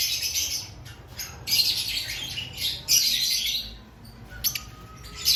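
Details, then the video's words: Active lovebirds ahead of the breeding season, a group of them. Shrill, scratchy squawking comes in clustered bursts, fading to sparse chirps near the end, with a steady low hum underneath. "Before breeding season Check your love Bird activity"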